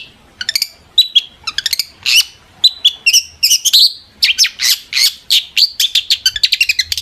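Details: Long-tailed shrike in lively song, played to coax other shrikes into answering. A dense chatter of scratchy chips and short whistled phrases comes in rapid, almost continuous bursts, with harsh squawky notes mixed in.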